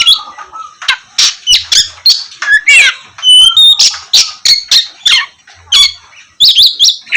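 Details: Oriental magpie-robin singing to coax lazy birds into morning song: bursts of harsh rasping notes mixed with clear whistled slurs and sharp clicks, delivered in short phrases with brief pauses.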